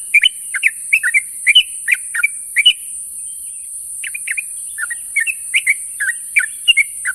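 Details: A sooty-headed bulbul calls its companions in the morning: fast strings of cheerful slurred chirps, a short lull near the middle, then the bubbly chatter resumes; high hiss persists throughout.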